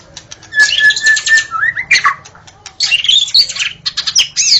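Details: White-rumped shama in the forest delivering a rich song of sliding whistles mixed with rapid high twittering and scratchy notes.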